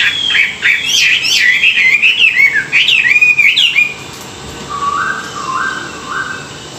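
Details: Chinese hwamei, a wild-caught cage bird, training its morning song: rapid run of slurred rising and falling whistles for about four seconds, followed by three lower, even, repeated whistled notes.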